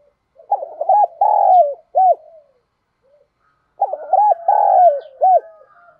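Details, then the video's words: Spotted dove kept as a decoy to attract wild doves, giving two matching phrases about three seconds apart, each a burst of clipped notes, then a long sliding coo and a brief closing coo. "Tiếng Chim Cu Mồi Kích Bổi Nhanh Nổi Hiệu Quả Nhát 2022"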